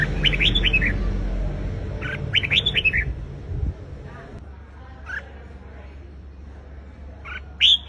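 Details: Competitive song of a Red-whiskered bulbul, used to provoke a wild-caught bird. Two quick runs of descending fluted notes come early, followed by sparse single whistles, with a low hum throughout.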